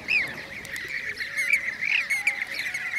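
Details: Rolling, liquid trilled calls of Blue-cheeked bee-eaters in Şanlıurfa, Turkey, 2016, several birds calling together in a continuous chorus with occasional sharper high notes.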